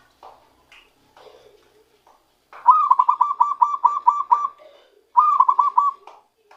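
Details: Newly caught zebra dove starting its natural song: soft scattered notes, then a long, rapid string of about nine evenly pitched cooing notes, followed after a short break by a shorter burst of four.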